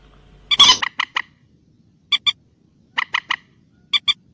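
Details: Wild common moorhen gives a loud, harsh burst followed by short clucking notes in pairs and triplets, repeated about once a second; otherwise quiet.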